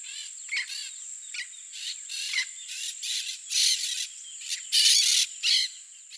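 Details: In Mato Grosso do Sul, Brazil, a bunch of Peach-fronted Parakeets eating what falls from a feeder give harsh, grating screeches in quick overlapping bursts, louder toward the end, over a steady high insect-like whine.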